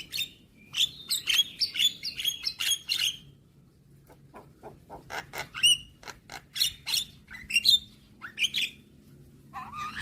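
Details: Javan myna song used as a morning tutor recording for young birds: a run of sharp whistled notes and scratchy chirps, then a string of dry clicks and short squeaks with brief pauses.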